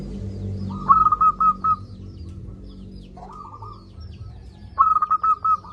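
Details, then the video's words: Local zebra dove, a loud and eager singer, used as a lure to get lazy doves calling: short, rapid bursts of stuttering, pulsed coos at a steady mid pitch, three phrases each under a second, over a low background rumble. "Perkutut lokal gacor suara besar - Masteran Ampuh Mengatasi perkutut Malas bunyi"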